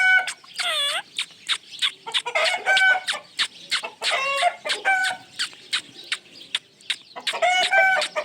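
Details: Pet Ringneck parrot giving a fast run of sharp, clipped notes mixed with loud harmonic squawks, some swooping downward, with brief pauses between bursts.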